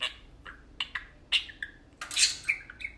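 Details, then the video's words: Brief chatter from two tame pet budgerigars playing: a few scratchy chirps, then a loud harsh squawking burst followed by sliding whistled notes. "Tame parakeets talking and playing"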